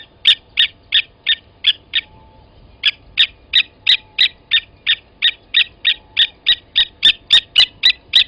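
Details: Blacksmith lapwing at a waterhole on Djuma Game Reserve, South Africa, morning of 29 August 2020, during an adult killing a chick at the nest: a steady string of hard, ringing tink notes, about three per second, with one short pause.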